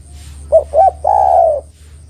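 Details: Spotted dove lure song, with two short, bubbling coos followed by a single long, level coo lasting about half a second, clear against a quiet background.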